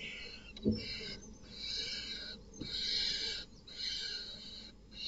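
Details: Night at a barn owl nest box as a male not the father kills the chicks: drawn-out wheezy hissing screeches, each lasting over a second, with one sharp knock and brief pauses between.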